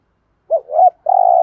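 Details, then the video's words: A single spotted dove phrase in the thúc gù cooing style, meant to excite wild doves: a short hoot, a swelling second note, then a sustained vibrating coo that is cut off at the end. "tieng chim cu gáy thúc gù"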